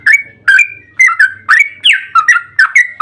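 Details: Yellow-vented bulbul's long 'ropel' song, played to stir bulbuls to respond: loud, rich whistled notes with sharp onsets and gliding tails, spaced roughly every half second.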